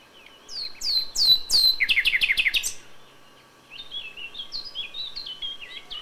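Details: Common nightingale (Luscinia megarhynchos) singing at dawn in May: loud sweeping whistles, then a rapid run of about ten repeated notes, followed by softer, varied twittering phrases.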